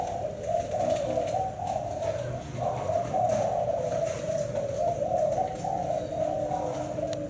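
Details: Low, wavering coos from a Thai black-spotted spotted dove, a bird kept for its seven-note song, flowing almost without pause and rising and dipping slightly, over a constant low background hum.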